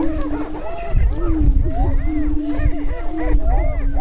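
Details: Greater prairie-chicken lek in northwest Minnesota near Crookston during the annual spring mating dance, April 2013: constant low booming hum with repeated arched whoops from several birds over heavy wind rumble.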